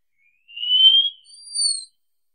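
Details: Wallcreeper giving a two-note whistled phrase: a long, slightly rising thin whistle, then a higher, clear whistle that dips slightly at its end.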